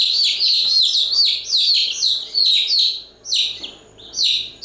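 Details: Several chicks peep without letup, their sharp descending chirps running together in a thick stream, then breaking into separate calls near the end.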